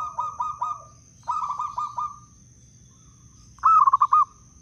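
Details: Local wild zebra dove from Blora, a lure and prompt for reluctant doves. A few soft clipped coos, then a softer run of beats, and finally a loud, sharply pulsed trilled phrase. A faint steady whine is in the background.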